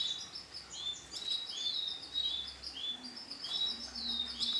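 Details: Canary hen, bright orange in colour, uttering separate high, thin chirps and short slurred notes at an uneven pace, against a soft noisy background.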